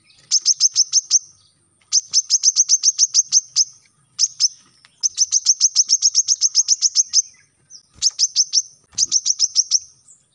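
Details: Coconut sunbird, or brown-throated sunbird, singing its 'tembakan rapat' dense-shot song as lure and tutor audio for young captive birds: six bursts of quick, piercing high chirps, each lasting one to two seconds, separated by short gaps.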